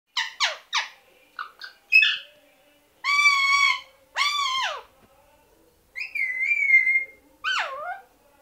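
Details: Kashmiri ringneck parrots whistling: quick chirps, then two long, rich harmonic whistles that drop at the end, followed by a wavering whistle and a final swooping note.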